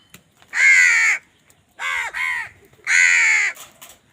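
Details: Crow fighting for food, giving three loud, harsh, drawn-out caws spaced about a second apart, each grating and nasal with slight downward bends, the middle one broken into two parts, against a silent background.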